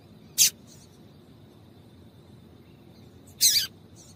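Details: A female Double-collared Seedeater gives calls used to get a male singing, two high chirps with faint echo-like notes after each, the second longer and slurring downward.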